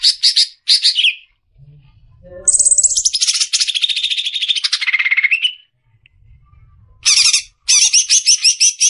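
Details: Greater green leafbird (cucak ijo) in besetan song, clearly recorded as masteran for training caged birds: short high trilled bursts, then a long rattling trill sliding downward over three seconds, then more rapid chattering bursts, faint low rumble beneath.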